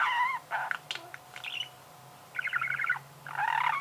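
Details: Budgerigar song made of buzzy, harmonic warbled phrases and rapid chattering notes, separated by a short quiet gap, over a low steady background hum.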